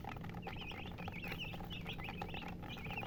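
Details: Chicken hen chirping: a busy stream of short high peeping notes over a low continuous hum.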